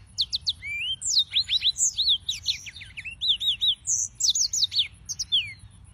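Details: Yellow-fronted canaries (Serinus mozambicus), described as white-tipped green singers, in a fast, continuous high warble of short rising and falling whistled notes and trills. The quick phrases run without pause against a faint low background hum.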